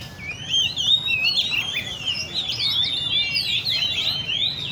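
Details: Oriental magpie-robins in cages at the Le Thi Riêng park bird cafe give loud, continuous whistled song, rich sliding notes from several birds layered together.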